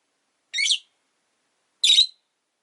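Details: Two harsh, buzzy screeches about a second and a half apart from caged Rosy-faced lovebirds kept by a window.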